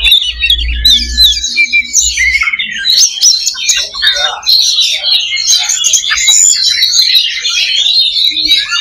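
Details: Kacer (Oriental magpie-robin) fighting-simulation song for raising a caged songbird's fighting mentality: rapid, dense high warbles and twitters with clicking accents, over a low hum during the opening two seconds.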